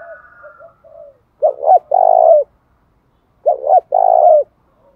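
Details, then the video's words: Spotted dove, described as large as a pigeon, in a fighting-urge calling display; low hooting coos around 600, a two-part phrase of quick double notes then a long drawn coo, repeated twice about two seconds apart, quiet background. "Chim cu gáy cườm to như bồ câu thúc đấu cực chất"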